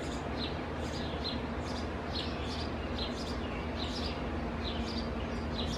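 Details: Nest of house sparrows, a couple feeding two young in an overgrown old Purple Martin house; brisk, high chirps in irregular bursts, some doubled, against a continuous deep hum.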